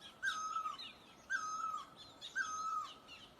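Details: Great barbet in Asia giving loud, mellow notes that slide gently downward, repeated about once a second, with faint higher chirps from other birds behind.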